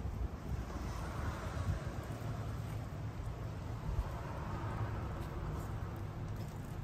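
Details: Steady wind buffeting and low rumbling noise throughout, with no animal voices heard.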